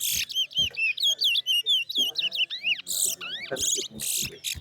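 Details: Towa-towa seed finch in a bird singing race at New Amsterdam bird ground, delivering a quick run of sweet slurred whistles that rise and fall, broken by harsh buzzy bursts, with faint voices underneath.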